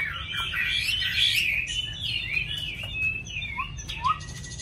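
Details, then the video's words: Tame caged Chinese hwamei singing well: a rich, fluid warble of looping whistled phrases, sliding up and down, with a couple of lower rising whistles near the end and a faint room hum. "Mi thuần hót tốt"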